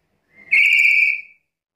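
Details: Black-capped lory giving a single sustained, steady shrill whistle lasting under a second.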